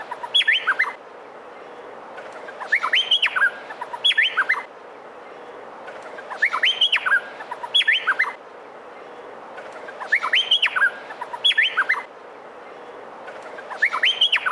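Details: A male Meliphaga honeyeater in full song gives loud bursts of clear whistled and chattering notes, repeated about every two seconds, over a faint steady hiss; a recording used to train other songbirds.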